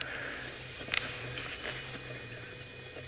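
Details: Quiet indoor room tone with a low steady hum and a few faint clicks, and no animal calls.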